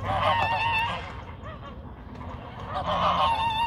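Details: Fighting geese honk loudly, hoarse nasal calls packed together at the start, a short lull, then another strong burst of blaring honks near the end.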